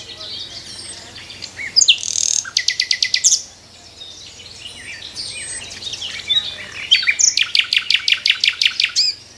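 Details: A nightingale sings in the morning from a tree, giving two bursts of fast, pulsing buzzy trills separated by a quiet pause, with scattered high chirps between.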